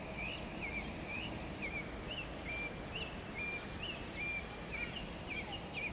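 An African thrush gives short, clear whistled notes, rising and falling, about twice a second, over a steady rumble of wind and distant traffic.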